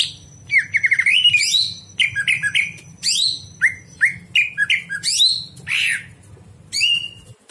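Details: A greater green leafbird sings at night, recorded for training other birds: a wavering trill, then many short varied whistles and sweeps, some in quick pairs, with rougher notes near the end over a steady low hum.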